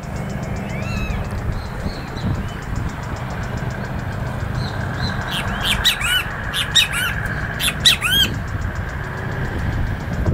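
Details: A Common Gallinule at Laguna del Diario, Uruguay, on 14 July 2017 gives a burst of harsh, clucking squawks mid-recording, over a steady high ticking and a low rumble of traffic or wind.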